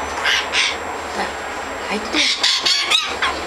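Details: A jay recorded in 2012 gives loud, raspy, noisy screeches in a rapid series of harsh bursts, near a person speaking Russian.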